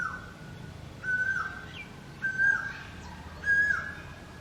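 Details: Koel with an unusual song unlike other koels, giving level, clear whistles repeated roughly every 1.2 seconds, each ending in a short downward slur, against a noisy outdoor background.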